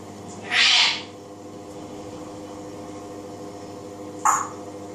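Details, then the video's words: An African grey parrot, which sings and imitates voices, gives one loud, harsh, breathy squawk lasting about half a second, then a brief sharp chirp four seconds later, over a steady low electrical hum. "African Grey Parrot singing & imitating voices"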